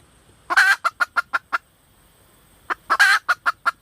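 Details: Hen red junglefowl calling twice: each phrase is a coarse, rasping note followed by four or five evenly spaced short clucks, the two phrases about two seconds apart.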